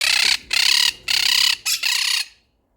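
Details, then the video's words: Pet Quaker (monk) parakeets shout in fear of four cats on the window sill: five harsh, buzzy screeches in quick succession, each about a third to half a second long, over about two seconds. "Quaker Parrot Quaking / Sounds / Yelling | Parakeet Shouting"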